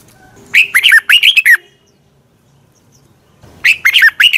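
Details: Red-whiskered bulbul morning song for training birds, heard as a lively phrase of four or five looping, slurred whistles, a two-second silence, then the phrase starting again.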